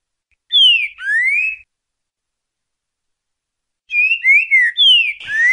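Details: Green-winged Saltator, a soft-billed "boca mole" type, sings its "ti boi" song for training other birds: loud, clear whistled phrases that slur down and then up, in two short bursts about three seconds apart.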